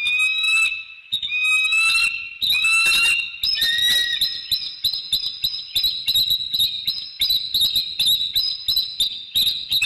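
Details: Bald eagle pair in their treetop nest at The Hamlet, recorded by nest cam in the early morning of 15 December 2019 during greetings and mating: a long run of loud, high chattering calls, ringing notes breaking into rapid staccato piping.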